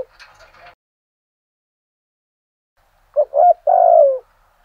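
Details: Spotted dove decoy singing in the thổ style at dawn to provoke rivals: a faint chirpy sound at the start, then after a pause a quick phrase of two short low coos followed by one longer falling coo.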